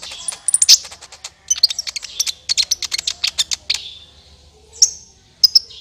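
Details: Sunbird call used as a trapping lure, local name kolibri ninja: rapid series of sharp high chirps and clicks, several trills, then short high whistled notes after a pause, clear and loud.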